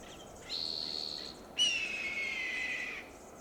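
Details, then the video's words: Red-tailed hawk in Del Monte Forest, California, calling loudly from a high perch after eating a large fox squirrel: a thin high note followed by a longer hoarse, screaming descending screech, over faint background hiss. "Screeching Sound of Red-tailed hawk"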